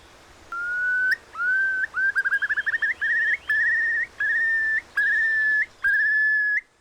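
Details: Eurasian Curlew in breeding season in Nidderdale, North Yorkshire, gives its bubbling call: clear rising whistles that quicken into a fluttering trill, then long, wavering, slightly bubbling notes repeated about once a second.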